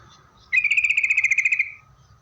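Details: Yellow-vented bulbul song used to provoke other bulbuls to reply: a single strong, rapid trill of about one second, evenly pulsed and bright, against a quiet background.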